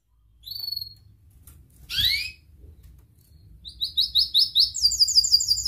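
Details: Canary singing as a lure for young birds learning to sing: a few separate whistled and swept notes, then a quick, rising run of high repeated syllables in the last two seconds.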